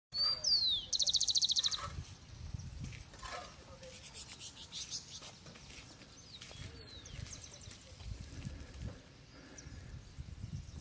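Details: Rufous-collared sparrow (Zonotrichia capensis) sings a clear, high down-slurred whistle, then a fast dry trill, with a fainter whistle later over low rumble; Colombia, Chicaque Natural Park or Bogotá Botanic Garden, April 2019.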